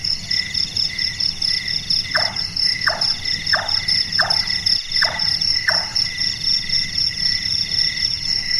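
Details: Six brisk tapping chonks from a large-tailed nightjar, the nocturnal 'carpenter bird' or burung tukang, each note short and downward, spaced roughly 0.7 seconds, with shrill crickets droning throughout.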